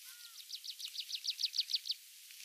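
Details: A Tree Pipit singing in a rare patch of mixed woodland in Mongolia gives a song phrase of about a dozen high, buzzy notes repeated rapidly, around six per second, swelling louder before stopping. A faint low whistle from another bird sounds at the start.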